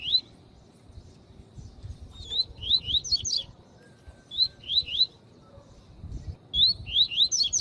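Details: Male double-collared seedeater, the tui tui song style, singing alongside a calling female, used in training to stimulate males: short rising whistled notes near 4k in quick clusters of three to four, repeated, over low background hiss.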